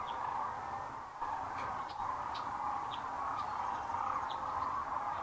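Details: Sandhill cranes settling for the night at Rowe Sanctuary, Gibbon, Nebraska, at sunset, April 4, 2013, on a webcam; a thick, even wall of rolling calls from a large flock, with short high chirps sprinkled throughout.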